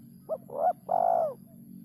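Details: Spotted dove in a rare song rhythm gives a brief opening note, a swelling coo and a longer, rolling, falling coo over a steady low hum and a thin high whine.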